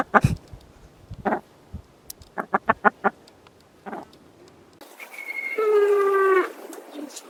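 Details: Dusky Grouse giving a run of sharp, dry clucks at an uneven pace, then a drawn-out, nasal, slightly falling squawk lasting about a second.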